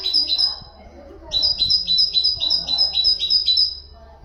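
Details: High, clear notes from a common nightingale, sung as a training model for goldfinches and canaries. After a short pause the bird delivers a long, even series of doubled chips, roughly four each second.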